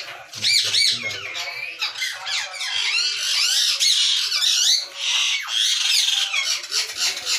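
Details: Noisy colony of captive ringnecks in Pakistan, 2022, with a continuous jumble of shrill, wavering screeches and squawks from many birds calling together.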